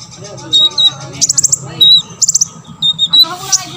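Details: Olive-backed sunbird song used to prompt other sunbirds into singing: thin high whistled notes alternating with short fast ticking trills, over a steady low hum.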